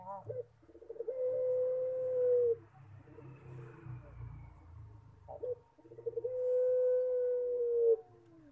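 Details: Puter pelung collared dove in full song, a unique singing style: two long, steady, level coos, each introduced by a rapid stuttering run of short notes, separated by a quiet pause with low murmuring.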